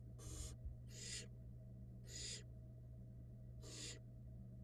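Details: Barn owl, downy nestlings fed by the female at a Florida nest-box cam: four loud breathy hiss bursts, three close together then one after a pause, over an even low drone.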